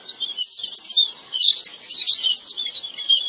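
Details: In a rice field, chestnut munias give bright, high tweets mixed with thin twittering, a few sharper notes standing out around the middle of this short burst.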